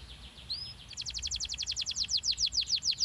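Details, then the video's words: Canary song used to stimulate young canaries to sing, a brief slurred whistle followed by a rapid, even trill of high repeated notes, about seven per second, over faint background hiss. "pancingan ampuh kenari paud agar cepat gacor dan ngeroll panjang"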